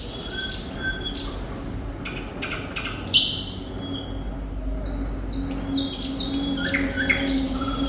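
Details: Sikatan londo, the thrush nightingale, in full vigorous song: rapid mix of clear whistles, sharp clicks and short buzzy strophes changing pitch constantly, with a low background hum throughout.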